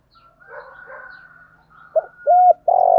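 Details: Spotted dove cooing used to spur birds into contest calling; a soft, wavering murmur first, then a short coo, a longer steady coo and a loud, slightly rough final coo, all low and hollow.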